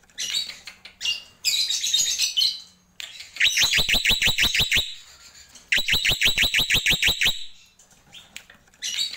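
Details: Black-winged myna, known locally as jalak pito or jalak putih, in tembakan style: harsh scratchy chatter, then two loud bursts of about a dozen rapid, sharp, evenly spaced notes, each burst lasting around a second and a half.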